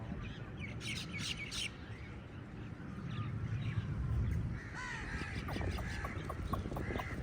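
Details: Crows fighting with eagles over food, a crowd of harsh caws overlapping near the end, with steady low rumbling noise and some chatter beneath.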